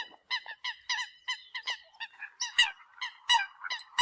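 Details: Eurasian coot decoy calls: a quick string of harsh, ringing honks, the later notes louder and more explosive with a few clicky attacks.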